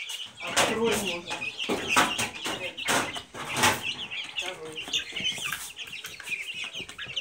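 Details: Silkie chicks give a steady stream of high cheeping notes, with lower rustling thumps and a voice-like murmur underneath.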